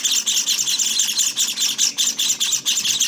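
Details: Short burst of Java sparrow nestling begging on day 18: bright, hissy high-pitched chirps repeated quickly, more than twice a second, with no pauses.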